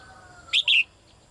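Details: A caged female bird calls the male with a single high double chirp. A brief clipped note comes first, then a fuller note that drops in pitch. A faint low tone fades out just before it.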